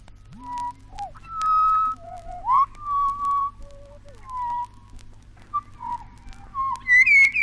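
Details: Pied butcherbird from Australia, on a 1968 naturalist's wildlife record. Pure, flute-like whistled notes are separated by pauses. Some are steady, others slide upward or downward, ending with higher, rising phrases.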